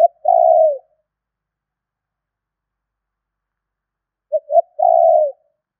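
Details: Spotted dove lure call: the tail of one long coo, a pause of several seconds, then a full phrase of two brief coos and a sustained falling coo.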